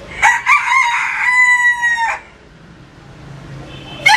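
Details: Rooster giving one full crow: choppy, stuttering opening notes rising into a long, steady, strained final note lasting nearly a second, then silence before another crow begins.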